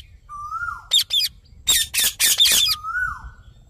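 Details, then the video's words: Rose-ringed parakeet producing clipped, scratchy squawks in a rapid burst. The burst is framed by two smooth, level whistled tones that slide down at the end. "Natural Parrot Sounds"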